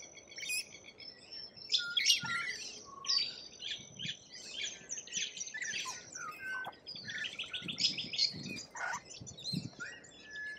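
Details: Lorikeets in Australian wildlife: a dense, overlapping chorus of harsh, shrill screeches and buzzy chatter, with many high notes and rapid bursts crowding over each other throughout, as if from several birds at once.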